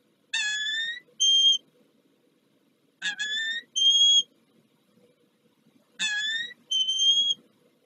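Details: Morning changeover at a peregrine falcon nest on Warsaw's Palace of Culture and Science, Poland, 2 April 2023. Three paired calls repeat about every three seconds, each a rising, strained harmonic note followed by a higher, steady whistled note.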